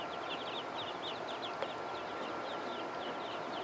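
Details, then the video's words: Young ducks on a pond chatter in quick clusters of high, falling peeps, nearly nonstop, over a loud steady background noise and a faint thin whine. "Baby Ducks"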